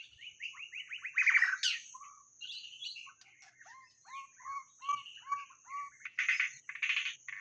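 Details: Lure recording of white-rumped shama song: a fast descending series of repeated notes, then a run of short arched whistles repeated about twice a second, closing with rich loud bursts, over a faint constant high tone.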